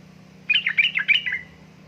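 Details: Yellow-vented bulbul female calling to a male in a lure recording described as fast rattling "ngeriwik ropel" chatter; a single second-long run of lively, warbling, bubbly notes over a soft steady hum.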